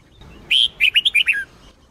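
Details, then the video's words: Training song of a red-whiskered bulbul, Sông Kôn style: one short phrase of a strong rising whistle, then a tumbling series of five sweet, slurred notes, ending on a falling note. The background is quiet. "chào mào SÔNG KÔN hót cực hay , dùng luyện chào mào mỗi ngày , luyện chào mào hót căng lửa"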